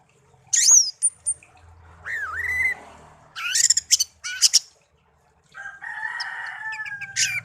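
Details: A tame pet songbird, reared from young after being found in a garden, produces swooping high whistles and a wavering slurred note. Dense chattering bursts and a long grating phrase follow, with faint room murmur beneath.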